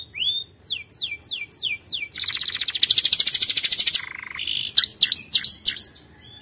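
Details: Strong canary song for training: spaced sweeping whistles lead into a long, rapid rolling trill, then a low buzzy note and a burst of quick V-shaped chips.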